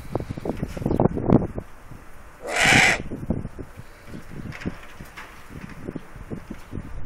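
Eurasian eagle-owl giving a single harsh, hissing rasp lasting about half a second, over steady low thumps and rumbling background noise.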